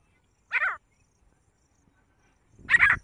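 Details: Grey francolin calling: two short, harsh, ringing notes with a descending, ladder-like texture, spaced about two seconds apart in otherwise quiet surroundings.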